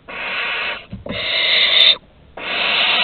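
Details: Barn owl chicks at the entrance of a Théding nest on 15 August 2020, during prey deliveries: three rasping hissed screeches, the middle one rising to a loud finish, with a soft thump between calls.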